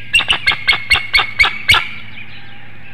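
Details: Wild bald eagle at a webcam nest in Hanover, Pennsylvania, on a chilly March morning at 6:44 a.m., the female calling her mate to take over incubation. Eight harsh, high squawking notes run in a quick, rapid series, with faint songbirds behind.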